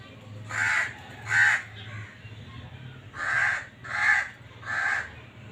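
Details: Black francolin breeding call in two bursts: a pair of harsh, scratchy notes, a short gap, then three more evenly spaced notes, over low background rumble.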